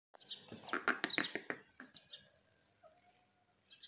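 A grey parrot talks in a quick run of rasping, speech-like syllables, then gives a short low whistle and a brief sharp chirp.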